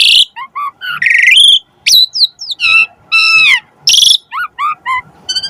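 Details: Asian pied starling (jalak suren) song used as a training master to prompt other starlings to sing: loud varied sequence of whistled, rising and falling notes, harsh buzzy bursts and sharp high squeaks, delivered in rapid phrases with brief pauses.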